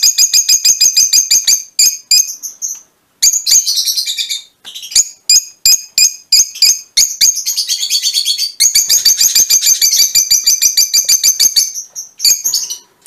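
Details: Fischer's lovebirds of a colour mutation chatter busily: fast trains of shrill, scratchy chirps, several times broken by short pauses, with the harsh rattling notes tumbling on almost without a stop.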